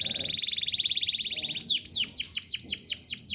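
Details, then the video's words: Domestic canary performing master song used to train other songbirds: an even, fast rolled trill for about a second and a half, followed by a string of steep descending whistles repeated several times a second. "Kenari gacor ngerol nembak mantap."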